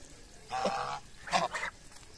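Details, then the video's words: Two drawn-out, reedy honks from feeding geese in the morning, the second breaking into a rougher double note. "Geese Honking While Feeding"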